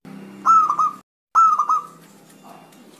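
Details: Zebra dove, normally slow to call, answering immediately. Two brief cooing phrases of rapid, stuttered, mellow notes at steady mid-low pitch, each trailing off, with a faint low hum between them.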